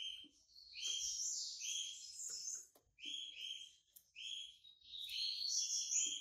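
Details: Yellow-bellied seedeater, white-breasted Bahian type, coming out of moult, delivers repeated phrases of buzzy, layered whistles, about three bursts over six seconds, with light clicks and handling noise between them.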